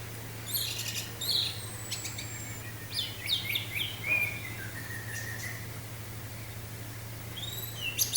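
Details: Orange-headed thrush singing 'teler' style against wind sound: scattered high whistles and chips, then a descending string of slurred whistled notes, ending with sharp high notes, over a constant low hum.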